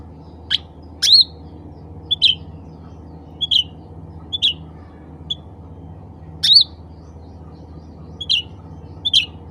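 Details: Black-capped bulbul, called cucak ranting, calling out to other birds of its kind: bright, clipped chirps repeated roughly every second, some with a short rising twist, against a constant low droning hum.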